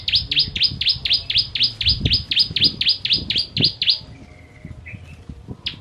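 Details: Bar-winged prinia, the Ciblek Kristal type, firing its rapid 'tembakan' song for tutoring contest birds: around sixteen piercing down-swept chips in a steady four-second stream, then a short soft whistle, over low thumps and handling noise.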